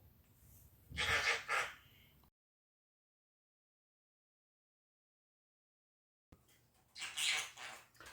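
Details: A talking pet conure gives two short, raspy bursts of speech-like chatter, high and scratchy, about six seconds apart with silence between them.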